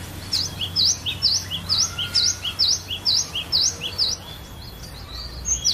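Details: Cinereous tit in a collection, varied song used as a lure to stimulate other birds: a regular run of sharp high two-part notes, about two per second, each a quick downward sweep, steady and loud over a low hum.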